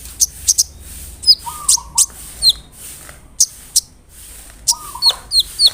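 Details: Lure song of a large, vocal brown-throated sunbird meant to rile rival sunbirds: scattered sharp high ticks and bright down-slurred whistles separated by short pauses, plus a faint low tonal hum.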